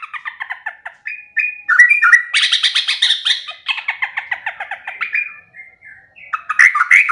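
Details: Sooty-headed bulbul song used as a morning training recording: running sequences of quick rattling notes, a louder dense scratchy chatter in the middle, then rising whistled phrases at the end.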